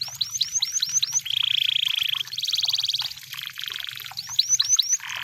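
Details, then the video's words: Canary song said to be from the wild: series of sharp upswept whistles, then long buzzing and pulsed high trills, returning to quick whistled upsweeps, over a low background hum. "The Sound of Canaries in The Wild! You Will Love The Sound"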